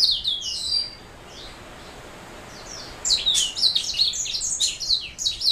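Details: Black-throat mule singing high twittered phrases, then falling silent for about two seconds before bursting into a dense stream of quick chirps and trills.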